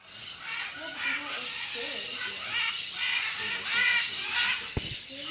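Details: Macaws at the Blanquillo clay lick in Manu National Park: a loud, dense chorus of harsh, raspy squawks from many birds overlapping continuously, with a sharp click near the end.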